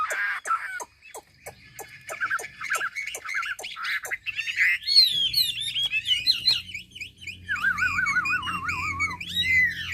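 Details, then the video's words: Hwamei from Ha Giang, Vietnam: a series of sharp ticks and short notes gives way to bright, wavering whistles and a long undulating trill, over a faint low hum. "Mi đẹp Hà Giang. #713 bộ đẹp hót hay cực víp tiếng hót thiên nhiên, luyện cho chim hót hay."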